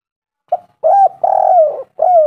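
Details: Spotted dove (tekukur) cooing as a lure to prompt other doves to call: a soft short note, then a clipped coo and a long, mellow coo sliding slightly downward, another coo beginning at the end.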